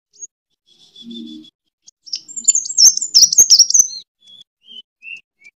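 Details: Fighting song of a sunbird (kolibri tarung), used to lure and train birds: a faint high buzz, then a short loud burst of squeaky, rapid high twitters and a few thin falling whistles.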